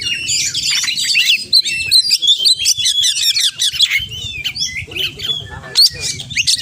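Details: Oriental magpie-robin delivering energetic 'gacor' song rich in 'isian' borrowed phrases: rapid chattering notes and sliding whistles packed tightly, then sparser sharp calls, with low droning noise beneath.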